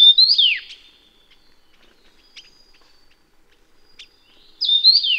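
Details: Endemic Taiwan yuhina from Taiwan's mountains: a ringing whistled phrase rising then falling steeply, a quiet gap with scattered faint ticks, then the same phrase again about four and a half seconds later.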